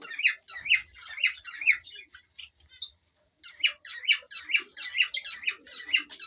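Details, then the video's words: Courting male cockatiel whistling to a female to stimulate mating; steady chains of looping, warbled notes roughly twice per second break off into a brief silence before the rhythmic whistling starts again. "تغريد وتصفير ذكر كالوبسات للأنثى يحفزها للتزاوج"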